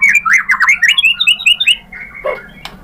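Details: White-rumped shama song used as a lure to provoke a rival into answering: a rapid run of loud, varied whistled and slurred notes mid-high, fading out into faint scratchy sounds near the end.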